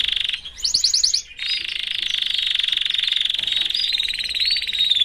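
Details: Caged male canary singing among his family: a short burst of bright pulsed notes, then a long, even, rapid rolling trill held for several seconds, shifting to a faster buzzier trill near the end.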